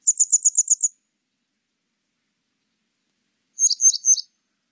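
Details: Grey wagtail: a quick string of seven sharp, high ticking notes, then after a pause three louder doubled notes. Clean background.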